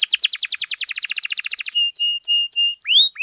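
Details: Lively domestic canary song for tutoring and prompting other canaries: a rapid rattling trill, then short level piping tones repeated about three times a second, ending with a rising slurred whistle.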